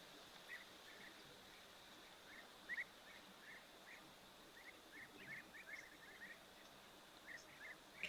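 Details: European bee-eaters flying overhead at an African waterhole on a windy day, 10 December 2024, giving their typical flight call: short, rolling trilled notes near two kilohertz, repeated in scattered clusters throughout, over steady wind hiss.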